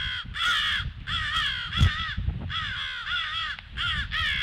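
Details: Crow alarm at 08:50 on 18 February: hoarse, slightly down-slurred caws in uneven groups of two or three, one sharp knock in the middle, over low background noise.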